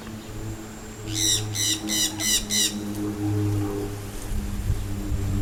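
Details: Jandaya Parakeet, one of a pair nesting in a broken coconut palm near a house in Rio Grande do Norte, Brazil, with a juvenile nearby, gives five harsh, grating squawks about a third of a second apart, over soft background music.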